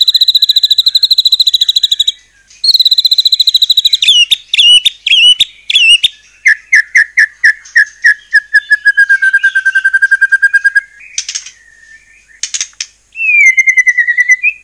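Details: A white-rumped shama in full song, meant to provoke rival shamas into replying. A long varied phrase: fast high trills, sharp clicks and chips, a lower run of repeated whistles, then a falling whistle.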